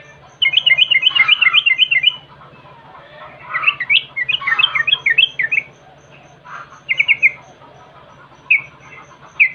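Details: Yellow-vented bulbul lure sound for provoking song: a rapid bubbling run of repeated chirps for nearly two seconds, then warbled jumbled phrases and short trailing chirp groups, backed by a low electrical hum.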